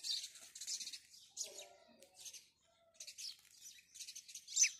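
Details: House sparrow chirping in the morning: buzzy, rasping chirp clusters separated by short pauses, ending in one louder sharp note.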